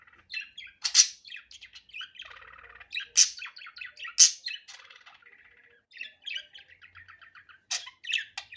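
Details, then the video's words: Steady budgerigar chatter in its natural, unedited voice: continuous twittering warble with buzzy trills and several loud, sharp high squeaks spaced a few seconds apart. "Muhabbet Kuşu Doğal Sesi"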